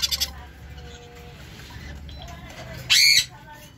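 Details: A baby sun conure gives one harsh, loud screech after a few quiet seconds.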